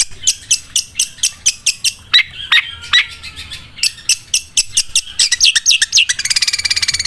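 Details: Long-tailed shrike producing its sewing-machine song, spaced high clicks and buzzes with a few lower slurred notes, speeding into a fast rattling trill at the end.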